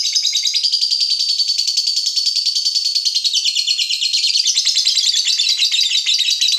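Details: Agitated fighter lovebird reacting to a rival bird: a continuous, very fast, high-pitched chattering trill that runs unbroken for nearly seven seconds and drops slightly lower in tone halfway through.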